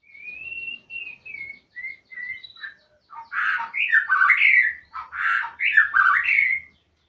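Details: Singing murai, a magpie-robin: opens with several soft sustained whistles, then breaks into loud, rapid, varied phrases of squawky and whistled notes for about four seconds.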